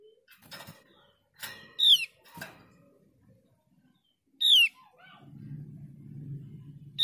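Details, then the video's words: Javan grey-throated white-eye (opior jawa) repeating a sharp, falling whistled note three times at irregular gaps, mixed with knocking and rustling sounds and a low rumble near the end. "Pancingan opior jawa malas bunyi agar gacor kembali"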